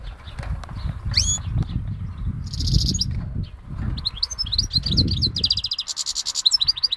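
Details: A goldfinch x canary hybrid, recorded on Syros, sings a few twittering notes and a buzzy trill over low rumbling noise, ending in a clear run of rapid, evenly pulsed notes.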